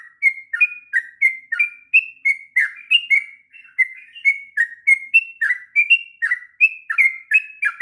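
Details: Extended rolling song from a sooty-headed bulbul, used to teach young birds: an unbroken run of chirpy whistled phrases, each a quick downward flick followed by a short steady whistle, repeating briskly for the whole stretch.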